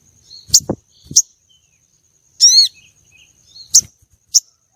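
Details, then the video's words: Female common iora luring and stirring male contest birds. Sharp high chips with low knocks and thumps surround one stacked, downward-sweeping ringing note in the middle. "Pancingan sogon betina untuk pikat dan pancing birahi sogon jantan lomba"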